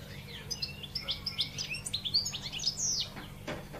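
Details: European goldfinch song from a caged bird: quick jumbled twittering of short high chirps and trills with a few sharper notes, over a steady low hum and background hiss.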